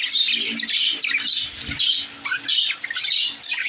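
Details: Lovebirds giving bursts of shrill, scratchy squawks and high chirps, roughly two calls a second, with brief quieter gaps and a faint low hum underneath.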